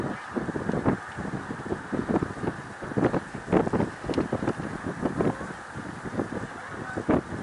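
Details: Massed snow geese at Middle Creek Wildlife Refuge, Pennsylvania, 1 March 2021, calling nonstop in choppy, overlapping honks, some louder birds standing out close by, with light wind noise.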